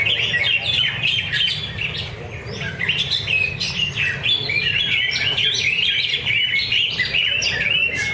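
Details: Singing-contest practice at Danau Bumi Restu, Cikunir: a caged greater green leafbird pours out a continuous stream of high, fast whistled and chirping notes. Many other birds sing at the same time over steady low venue noise.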